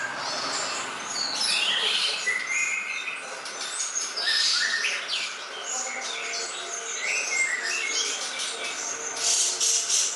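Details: Training song of a greater green leafbird, meant for easy learning: a long, busy run of rapid chirps, short rising whistles and scratchy notes, over three per second, irregular and continuous.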